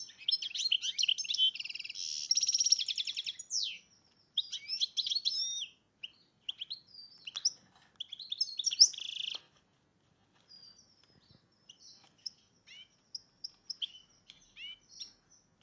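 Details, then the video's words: Caged-style hybrid of a breeding goldfinch and red agate canary singing: a rich burst of rapid twittering and rolling trills, then buzzy phrases, fading to sparse thin chirps and short whistled notes. "goldfinch - ramin"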